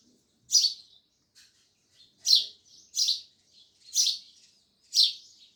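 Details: Loud sparrow cheeps, five sharp bursts with uneven spacing and soft twittering notes between them.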